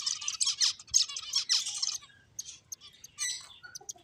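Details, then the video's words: Loud bursts of high, rapid twittering from finches at play fill the first two seconds, then thin out to scattered single chirps and sharp downward ticks. "Cute Birds Chirping Sounds | Beautiful Finches Playing"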